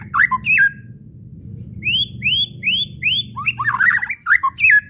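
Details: Rising whistled notes from a white-rumped shama repeat in a quick series, framed by harsh chattering bursts (kretekan) at start and end; low background hum throughout. The calls are used to provoke shamas into singing.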